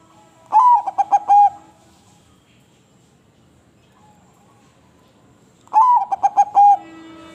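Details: Crossbred zebra dove, a bird prized by dove-song hobbyists, gives two cooing phrases about five seconds apart. Each opens with a rising, slurred note, then runs into a few quick, soft coos and ends on a longer held coo. Quiet gaps between phrases.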